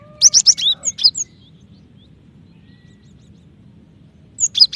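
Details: Female cinereous tit calling to the male: a quick string of shrill chirps and thin sliding whistles, then a long silence before another short chirp burst at the end.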